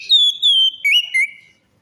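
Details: Orange-headed thrush song used as a lure to prompt a silent or stressed bird to sing: clear whistled notes, first high and level, then dipping lower with small upward slurs, four phrases in under two seconds.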